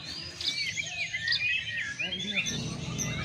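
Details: White-rumped shama, a kept bird sunned to strengthen it, to open its voice and bring out its mimicked phrases: dense high whistles, quick slurred notes and chattering trills that overlap, over a low background rumble.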